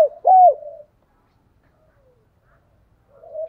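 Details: Decoy spotted dove cooing to provoke wild doves into answering: a short, low, hoarse coo phrase, then silence and a softer coo starting at the end.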